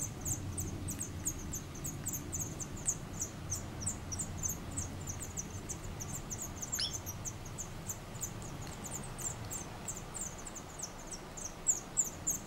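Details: Black redstart at a nest in Collado Villalba, Spain, in 2018, where male and female fed five-day-old chicks caterpillars: rapid, very high, thin notes about three times a second throughout, over a steady low rumble.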